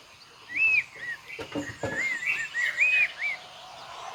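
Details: Full-repertoire song of a White-rumped shama with imitated sounds: several clear arched whistled notes, rising then falling, spaced irregularly, with a couple of soft knocking sounds in between.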